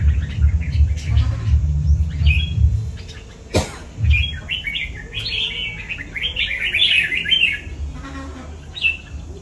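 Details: Hobby-kept red-whiskered bulbul gives scattered chirps, then a sharp knock, followed by a long, lively run of tumbling whistled notes; low rumbling thumps fill the first seconds.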